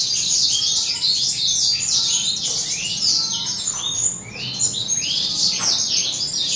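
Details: Several adult male Western Citrils singing together while sunbathing in the morning, with the breeding season approaching: a dense, continuous chorus of high, rapid twittering and sweet warbled phrases, overlapping voices with no pause throughout.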